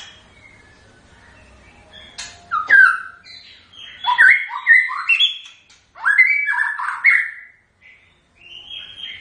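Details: Song of a white-rumped shama: after a quiet start, loud varied whistled phrases with rising and falling notes come in two-second bursts, separated by brief silences.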